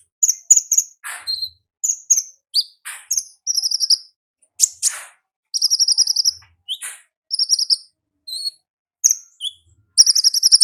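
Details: Ngalas-style song of an olive-backed sunbird in the wild, a busy stream of very high sharp chips alternating with short buzzy trills, several notes every second in irregular bursts.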